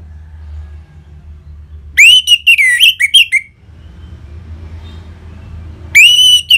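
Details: Orange-headed thrush ngeplong song meant to make caged birds answer: a phrase of loud, ringing whistles with rising and falling slurs lasting about one and a half seconds, then a lull and another strong whistle at the end.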